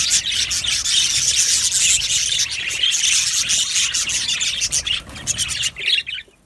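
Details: Aviary flock of happy Australian budgies chirping in a constant, crowded chorus of scratchy high warbles and tweets. It fades abruptly near the end, leaving a few isolated chirps.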